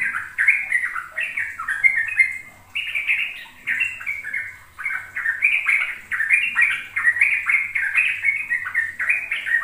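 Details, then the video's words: Sooty-headed bulbul lure for young birds learning ropel song: busy bubbly chatter of short sliding notes, pausing briefly near two and four and a half seconds, then resuming in a fast continuous run. "Pancingan trucuk agar trucukan BAHAN PAUD ikut belajar ropel"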